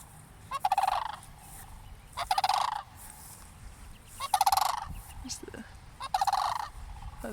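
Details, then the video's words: Cranes near a church give four loud, rolling, rattly bursts, each about half a second long and roughly two seconds apart, over low wind rumble, as a person approaches; the recordist wonders if they called from fear. "Did you know cranes made this sound???"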